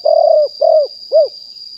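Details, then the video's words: Wild spotted dove, live 2021 decoy recording: two drawn-out, throaty coos followed by one short arched note, with a steady thin whine behind. "นกเขาใหญ่ป่าเต็ม100% บันทึกสดเสียงต่อนก2564"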